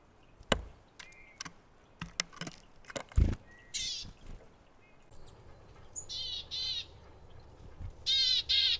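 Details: Willow tit arriving at a feeder. Several sharp knocks and taps come first, then scattered nasal buzzy notes in twos, ending with a louder pair of rasping calls.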